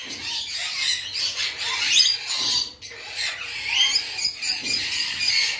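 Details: A captive breeding pair of red-collared lorikeets gives harsh, high screeching and chattering calls almost without pause, the shrill notes overlapping.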